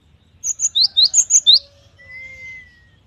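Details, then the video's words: Cinereous tit (gelatik batu) singing prolifically with full variation: a rapid burst of about eight sharp, high two-part notes alternating up and down over a second, then a thin, steady, lower whistle fading out. "GELATIK BATU GACOR || the melodious sound of stone sparrows"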